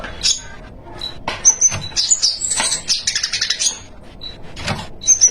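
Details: Lively 'gacor isian' spiderhunter song: piercing high whistles and stuttering chirp runs, delivered in fast, uneven bursts with brief pauses, very loud and close.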